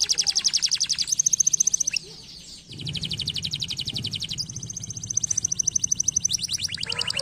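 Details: Singing canary delivering long rapid trills of high chirped notes in several phrases, a thin piping tone over some, with a short quieter gap near two seconds.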